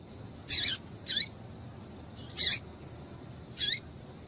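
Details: Female double-collared seedeater calls meant to warm up a male: four loud, high, slurred chips, the first two close together, then two more spaced out, over low steady background noise.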